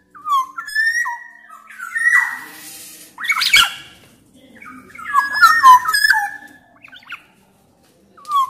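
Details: Black-naped oriole from Sumbawa, a loud singer used as a lure for silent orioles; clear drawn-out whistles broken by harsh rasping bursts, then more tumbling fluty phrases.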